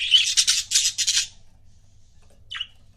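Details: Pet budgie couples: a loud, fast buzzy warbling chatter pulsing about four times in a second, then silence and one short descending chirp.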